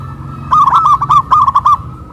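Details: Local zebra dove singing loudly after being pulled up a pole in Kuningan, West Java, Indonesia. One fast rolling phrase of around eight bright, bubbling coo notes follows a brief quiet start.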